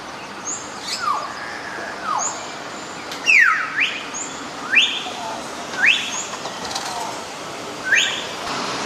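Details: Hill myna calling: loud clear whistles sweeping sharply downward, repeated roughly once a second, mixed with higher short whistled notes and a faint background hiss.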